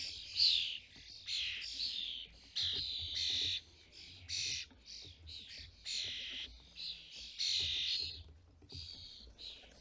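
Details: At a UK feeder where starling parents feed fledglings, a series of rough, screechy squawks sounds in uneven bursts, some stretched and wheezy, others clipped, across the whole stretch.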